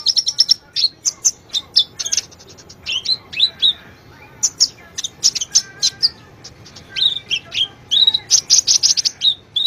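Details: Sunbird singing on a lure track for silent birds, a busy stream of very high twittering notes, trills and slurred whistles, briefly pausing near the middle before resuming in dense bursts.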